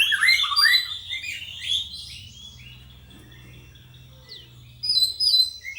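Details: A young white-rumped shama, trained hard for stamina, gives a rich burst of rapid warbling whistles, falls quiet for several seconds, then resumes with thin high slurred notes; faint low hum beneath.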